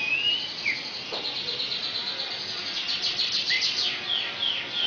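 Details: Asian pied starling singing a song filled with mimicry of magpie-robin and canary; rapid high chattering twitters with several clear whistled upward and downward slurs, dense and continuous throughout.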